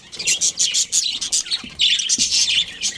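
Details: Budgies in a colony chattering busily, a rapid run of bright, buzzy chirps in quick bursts with only short gaps between them.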